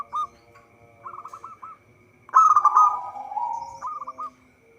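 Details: Local zebra dove singing actively, its song used as a lure for trapping: short bursts of quick, clipped cooing notes, then a louder rolling, bubbling phrase that fades into a lower drawn-out coo and another brief burst. A steady faint tone runs behind.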